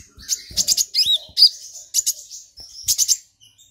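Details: Provoked, emotional brown-throated sunbird singing loudly, with a fill copying golden grasshopper song: continuous high twittering broken into rapid stuttered chip clusters and a few downward-slurred whistles.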